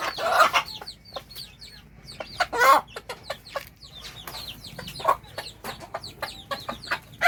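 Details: Clucking hen calls her chicks to food with irregular bursts of clucks and a few louder harsh notes, while many chicks keep up a constant high peeping.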